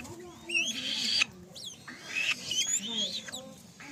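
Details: Young black-shouldered kite giving high, harmonic-rich screeching calls that rise and fall, in a long burst near the start and then shorter notes, with low human voices underneath.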